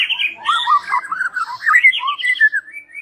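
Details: Continuous varied song of a white-rumped shama used as an evening lure, quick warbled and slurred whistles tumbling between mid and high pitches, ending in a few clear downslurred notes.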